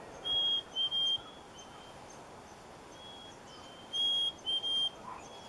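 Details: Black-capped Chickadee giving its springtime mating song, two clear whistled 'hey-sweetie' phrases, a pure high note then a slightly lower split note, repeated about four seconds apart over faint hiss.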